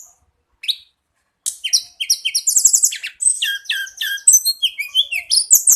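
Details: Sunda laughingthrush, called tledekan gunung, in full steady song: after two lone notes, a rapid unbroken chatter of high sliding whistles, chirps and short rattles continues to the end.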